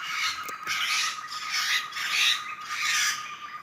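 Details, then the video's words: Wild laughingthrush flock in a Sumatran forest: grating, broadband squawks pulse roughly every half second to second, with a constant shrill tone running beneath. "Suara burung Poksay dihutan"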